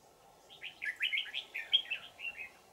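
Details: Wild forest red-whiskered bulbul being lured by a decoy, Vietnam, 20 December 2018; a rapid run of chirpy, whistled notes rising and falling, about ten syllables in quick succession, with steady low hum behind.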